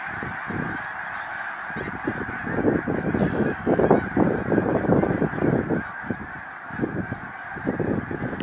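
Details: A flock of snow geese in a field at Baldwinsville keeps up dense, overlapping nasal honking that swells in the middle and ebbs toward the end, with a constant hiss underneath.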